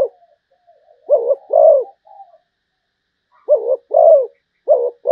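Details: A Malaysian zebra dove coos, giving pairs of soft, low, bubbling notes, a short note followed by a longer rounded one, the pairs separated by pauses of about two seconds in a quiet setting.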